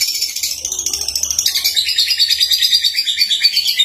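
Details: Singing young lovebird (Agapornis): an unbroken stream of high, fast chirps and buzzy twitters, pulsing rhythmically about three times per second, with faint low rumble beneath.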